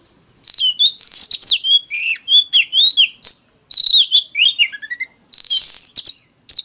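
An Oriental magpie-robin sings a loud, varied medley of clear whistles, sweeping slurs and buzzy trills in three bursts, high-pitched and rapid, with no other sounds.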